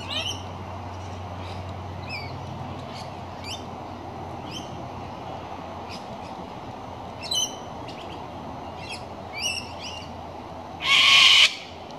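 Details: Near the end, a wild cockatoo gives one harsh, raspy screech lasting under a second, while smaller birds chirp and twitter lightly throughout.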